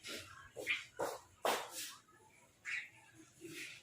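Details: Crow giving a food call: a series of harsh, hoarse, broadband caws in short bursts, several in quick succession with brief pauses, over quiet background noise.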